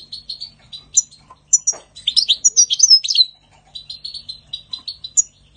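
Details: A European goldfinch sings in spring: rhythmic short chips repeated several times a second, high sharp whistled notes, then a loud rollicking, tinkling phrase before the chipping resumes.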